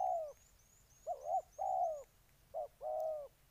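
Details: Spotted dove of Ninh Thuận, Vietnam, giving soft, hollow coos in short-long pairs, each long note gently falling at its end, with thin high whistled chirps of other birds in the background.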